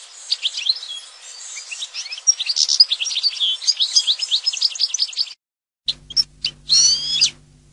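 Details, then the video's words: European goldfinch song: fast, jangling high twitters and trills pour out for about five seconds, break off briefly, then return as a few sharp bursts over a faint low hum. "Jilguero canto del cardellino"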